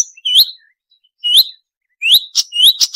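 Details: Marsh warbler song used as a training recording for caged songbirds: three sharp, high phrases, each a quick rising whistled slur with a short chip, spaced about a second apart, in a clean, silent background.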